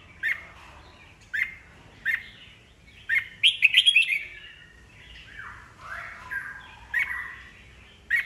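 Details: Wild-matured old red-whiskered bulbul singing to stir newly caught birds into song duels: short sharp chirped notes about once a second, then a loud run of tumbling warbled notes followed by softer slurred, descending phrases.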